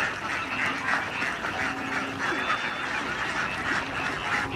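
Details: Thousands of ducklings swimming across rice-paddy water on their way back to the coop after playing in the field, giving a dense, continuous chorus of overlapping quacking calls with no pause throughout.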